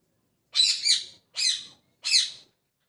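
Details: Parrot chirping in the morning: three harsh, raspy chirps, the first doubled, spaced about half a second to a second apart, with a quiet background.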